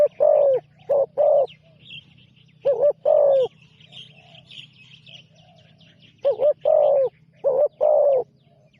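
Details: On its first training trip, a young decoy spotted dove coos in clustered phrases of three or four burry notes, repeated every few seconds. Thin chirping from other birds fills the gaps over a low background hum.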